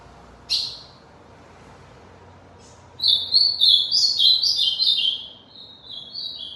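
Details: Ultramarine grosbeak, a tournament bird from Aracaju, Sergipe, Brazil: a single sharp high note, a pause of two seconds, then a fast run of warbled whistled phrases for about three seconds, ending in softer notes.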